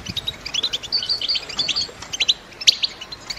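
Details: Caged female European goldfinches ready to mate call to excite a male into singing for the breeding season: quick tinkling chirps and short slurred notes overlapping, a few louder sharp ticks near the end, over background hiss.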